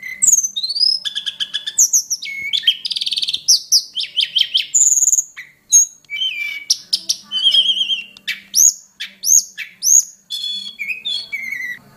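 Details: Hill prinia lure call for training songbirds: a dense, varied sequence of bright chirps, fast rattling trills, buzzy notes and sweeping high whistles, delivered almost without pause for twelve seconds.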